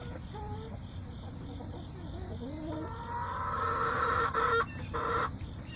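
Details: Backyard flock on September 20, 2024: a few soft clucks, then a long, loud, strained crow held for about two seconds with a brief break, over low background rumble and a faint high hum.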